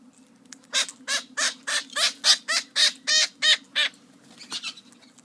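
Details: Noisy parrot giving a run of about ten loud, harsh, broadband squawks in quick succession, each roughly a third of a second long, followed by a couple of fainter calls, over a steady low hum.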